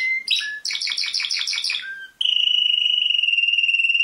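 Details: Canary from a world-champion performance: a few sharp chirps, a run of about seven quick repeated bursts, a short low note, then a long, smooth, rapidly pulsing trill.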